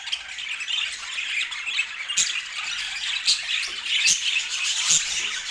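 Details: Budgerigars squawking and twittering, scratchy calls over steady chatter, with sharp clicks roughly once a second.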